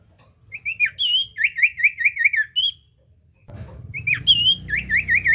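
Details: Common iora singing actively, used as a lure to prompt silent ioras to sing: clear whistled notes, then a run of five quick wavy, rolling whistles, a break, and more whistles over a low rumbling background noise near the end.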